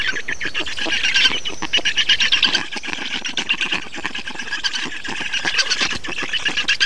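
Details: Black storks in Estonia during a feeding on 2 June 2019: dense, rasping, squealing calls packed into rapid pulses with a scratchy, hissing texture, running almost continuously with a brief dip near the middle.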